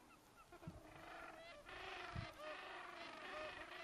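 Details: Gentoo penguins on the Antarctic Peninsula in December 2011 give harsh, honking brays that overlap into a noisy colony chorus, with a few low thumps of wind or handling noise.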